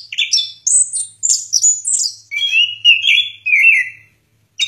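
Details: Orange-headed thrush song: rapid high whistled notes at the start, then a smoother warbling phrase falling gradually in pitch, ending in silence and a last short note.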